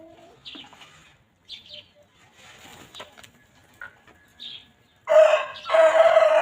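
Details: Chickens roaming freely and pecking at fresh grass on a farm; scattered soft chirps and clucks, then two loud, strained harmonic squawks near the end, with a rustle like wing movement.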